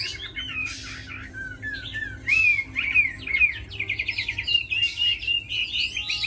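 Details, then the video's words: Tamed Chinese hwamei, praised as a strong fighter and fine singer: varied loud whistled phrases, quick slurred notes and rising-falling trills delivered in rapid bursts, with some buzzy rattles between phrases. "Mi thuần đấu tốt hót hay"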